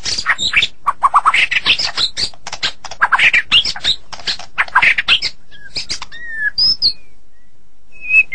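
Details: White-rumped shama in morning song, mostly rough chattering bursts and buzzy fragments for five seconds, then a few clear whistled notes, sliding and spaced apart, near the end.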